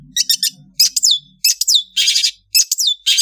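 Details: Indonesian long-tailed bird (cendet) in the afternoon sings bright, high chattering phrases with quick twittering notes and sweeping slurred whistles, in bursts roughly every half second, over a faint low hum.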